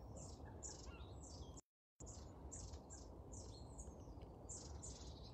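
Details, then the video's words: Many long-tailed tits on feeders, calling to each other as they chat; high, thin, short notes in quick irregular series over a low background rumble, with a short gap of silence partway. "Always chatting as well. You can hear them calling to each other."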